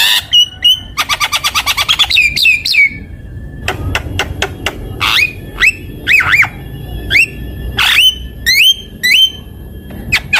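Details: Javan myna song used as a lure and tutor recording: rapid rattling trains of clicks, then sharp whistled notes with upward and looping inflections, scattered squeaky calls and high thin tones over low background noise.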